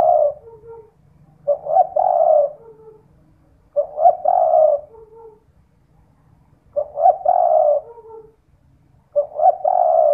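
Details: Night-time lure call of a spotted dove, meant to prompt other doves to answer: five mellow, throaty coo phrases, each with a clipped start, a drawn-out middle and a quieter dropping end note, evenly spaced.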